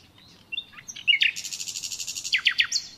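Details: Natural nightingale song opening with quiet thin whistles, then a rapid, steady rattle of buzzy pulses followed by loud down-slurred notes near the end; faint low background hum.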